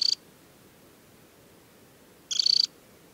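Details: An adult Temminck's stint (Calidris temminckii) in summer plumage, ringed, at Tinnhølen lake on the Hardangervidda mountain plateau in Norway on 7 July 2017, gives a high, dry trill: a clipped note, then a rapid trilled burst about two seconds later.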